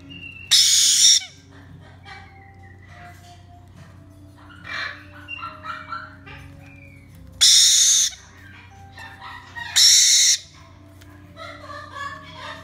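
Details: Male White-bellied caique chick, about one month old, hand-fed three times a day: three loud, harsh, raspy screeches, each about half a second long, with softer chattering and squeaky notes between them over a low indoor hum.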